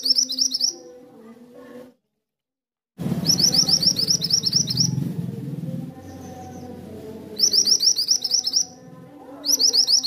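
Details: Mantenan, also called kuniran, singing in bursts of fast, high, repeated chirping notes separated by pauses, with a low rumbling background noise and a brief silence near the start.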